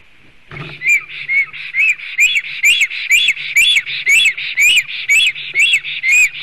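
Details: Male black stork defending its nest in Sigulda municipality, Latvia, on 30 July 2020, filmed by a nest live camera: after a brief thump, a steady series of high, arched whistled notes repeats about twice per second.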